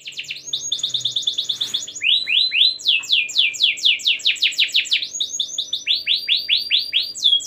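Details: Canary singing a long, lively song meant to make other canaries sing: fast trains of repeated descending sweeps and rapid trills, each phrase style switching every second or so, bright and continuous with faint low hum beneath.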